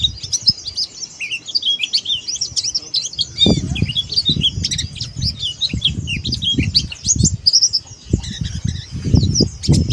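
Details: Oriental white-eye, dakbal type, pouring out a busy stream of high twittering notes, quick up-and-down slurs packed closely together, over repeated low thumps and fluttering knocks.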